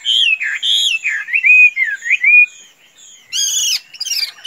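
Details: Chinese hwamei, a tame bird allowed to roam without flying off, giving loud, rolling whistled phrases that swoop up and down, followed by a pause and two harsh, rasping bursts.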